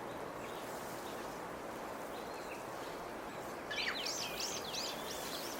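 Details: After rain, a Chinese (yellow-billed) grosbeak preening in a Chinese toon tree outside a window gives a quick run of looping, clear whistled notes that rise and fall, preceded by fainter whistles, over a steady hiss.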